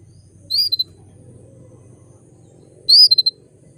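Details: A female canary (Serinus canaria) calls to bring males into breeding condition, giving two high, bright chirps, each followed by a couple of quick short notes, about two and a half seconds apart, over a low steady hum.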